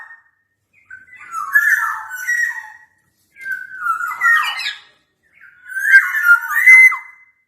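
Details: Black-naped oriole in full song, challenging a rival: three separate phrases of slurred, somewhat harsh, mid-pitched notes, each lasting about two seconds with short pauses between.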